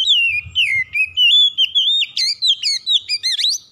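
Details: Oriental magpie-robin singing continuously: fluent whistled phrases sliding up and down, broken by rapid rising chirps and crisp flourishes. A trigger recording for a bird slow to sing.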